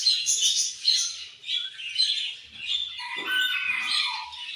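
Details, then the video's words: Pet budgies keep up busy, overlapping chatter: rapid high twitters, buzzy warbles and sharp squeaks. A rougher lower squawk comes in near the end. "Beautiful Budgies Chirping Sounds"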